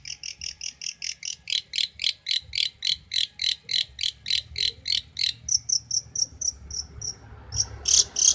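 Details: Champion long-tailed shrike from Banyuwangi, kept as a tutor bird for training other songbirds. It gives a steady series of short, high, ringing notes, about three per second, that shift to a thinner note near the end.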